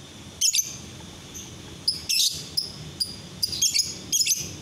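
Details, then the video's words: A lovebird's masteran (training song) by day, a busy sequence of harsh, high chirps and twittering clusters, some in quick pairs and triplets, repeated across several seconds with little pause. "Masteran lovebird siang hari"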